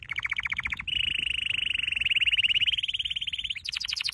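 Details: Canary training song: a quick chopped trill opens, then a long, even, rapid roll of notes holds steady before switching to a higher, faster trill at the end.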